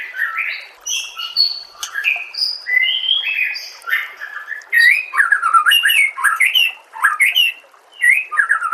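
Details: Masteran recording of murai batu (White-rumped shama): flowing mellow whistled phrases that give way to louder rising-and-falling warbles and high twittering notes, delivered in quick succession.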